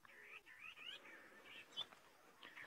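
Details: On a hot afternoon in the Mara, Kenya, a starling heard but unseen, thought to be a superb starling, gives a run of chattering, warbled notes, bright and mid-high with quick slurred whistles, over a faint background murmur.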